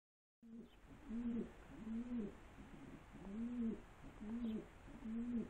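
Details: Pigeons repeat low, bowed coos about once a second, each a soft rising-then-falling hum with a fainter upper tone, in a quiet indoor space.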